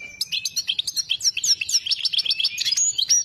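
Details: Goldfinch, known as saira, in full song: a continuous, fast, liquid twitter of bright slurred and rising notes, densely packed and varied, with a thin steady whistle at the start.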